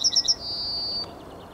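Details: Closing of a Yellowhammer's morning song, 9 May 2021: three final quick high notes flow into a long, steady, thin drawn-out tone lasting about half a second.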